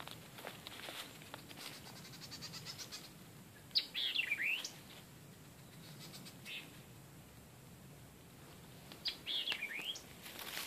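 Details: Wild bird beside the South Fork Guadalupe River in Texas, heard while fishing: two loud sweeping phrases of high chirps sliding downward then flicking up, about five seconds apart, over faint ticking chirps and steady outdoor hiss.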